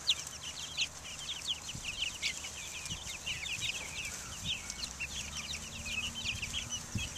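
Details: Young chicks, Buff Orpingtons, Black Australorps and Americanas, taking the air outdoors in 2010; a flock chorus of high, rapid cheeping notes, short and overlapping, over a steady low background rumble.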